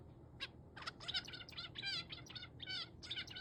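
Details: Male zebra finch calling almost without pause: bright, nasal, harmonic beeps and toots in an irregular rapid series, some notes bending downward, against a low steady background hum.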